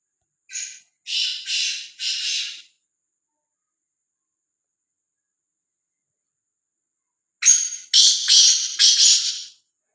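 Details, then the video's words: Kala teetar, the black francolin, roaming free, repeats its grating call twice about seven seconds apart. Each bout is a short note followed by three scratchy, buzzing rasps. "Kala Teetar | Azad Gumna vala Bedar Kala Teetar | Black Frankoline | آزاد بےڈر کالا تیتر"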